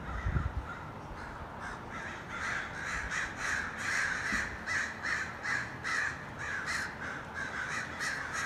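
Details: A large gathering of hundreds of crows: rough caws building into a busy, overlapping chorus, calls coming in quick pulses about twice a second, with a brief low thump at the start.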